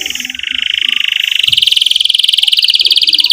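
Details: Canary delivering one continuous rapid roll that climbs slightly in pitch, played as a stimulus for young canaries learning song and for canaries that stopped singing.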